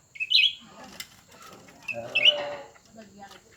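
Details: Cucak ranting birds, a newer and an older one, compete with each other. Two sharp chirped notes about two seconds apart, with faint softer clicks and scratchy sounds between them.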